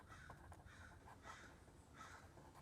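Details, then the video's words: Crow cawing in the background while a maths lesson is recorded; a few faint, harsh cawing bursts spread over under three seconds, low beneath room noise. "you hear that crow in the background oh my gosh it's so annoying so annoying"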